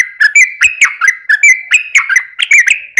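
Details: Trucukan in rapid ropel song, meant to lure other birds into singing: quick liquid slurred notes tumbling one after another, about four per second.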